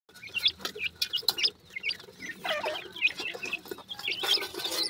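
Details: Black francolin chicks, male and female, giving high thin chirps and short upslurred peeps, many overlapping in quick irregular bursts, with clicks and rustling throughout.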